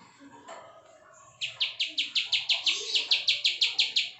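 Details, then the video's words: Bar-winged prinia of the ciwah prenjak klik type, sung loud and continuous, opening after a quiet start into a steady series of high, clipped notes repeated about three times a second. "CIWAH PRENJAK KLIK PALING GACOR NGEBREN"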